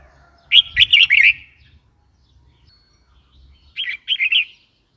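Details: Red-whiskered bulbul sounding two rollicking phrases, the first louder with four or five notes, the second softer and shorter, over light low rumble.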